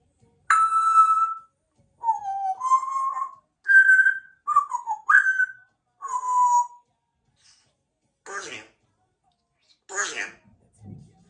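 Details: Pet female Congo African grey parrot living in a country home, whistling the Star Wars music: a series of clear, pure whistled notes, some held and some sliding down, followed by a few short raspy squawks.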